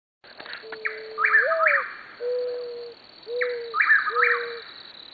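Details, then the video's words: Mourning dove in an Oklahoma landscape, its call described as haunting: low, smooth, drawn-out cooing notes, some rising slightly, repeated in a slow series, with sharper higher slurred bird notes between and a continuous high, even cricket trill. "The haunting sounds of a mourning dove"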